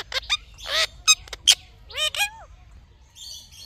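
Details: Talking Indian ringneck parrot: a rapid jumble of harsh squawks, clicks and bright whistled notes, then two bending, arched syllables like spoken sounds, ending with a soft high chatter.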